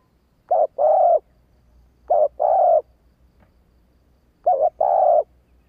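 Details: Female spotted dove giving its urging call (thúc), meant to quickly provoke male doves into answering: three low, two-part coos, each a short wavering note then a longer steady hum, spaced about two seconds apart in quiet surroundings.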